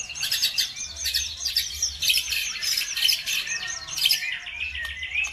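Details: Birdsong used as a lure to make other birds sing: a dense, continuous chorus of high chattering chirps and trills, several voices overlapping without pause, over a faint low rumble.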